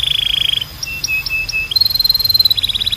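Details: Canary song used to train other canaries to sing: rapid pulsed trills, a row of short high piping notes, then a higher buzzing roll that drops into another fast pulsed trill.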